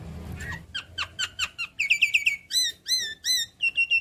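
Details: Javan myna chattering while head-bobbing, a lure recording to make reluctant mynas answer: rapid series of high, bright chirps and squeaky whistled notes, each repeated quickly in short clusters, with clean quiet background.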